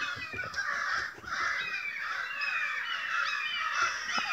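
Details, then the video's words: A big flock of crows, stirred up by something unknown, calls loudly and without pause. Many harsh caws overlap, some of them rising or falling, with faint ticking noises. "A murder of crows!"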